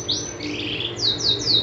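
A canary sings high, thin whistled notes that slide downward, repeated in quick succession about four times a second, in a quiet indoor room.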